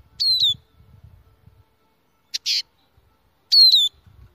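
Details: Bird known locally as al-na'ar, recorded for use in hunting: high thin whistles sliding downward, given in short paired bursts about three seconds apart, with a brief buzzy chatter between them; faint low rumble beneath.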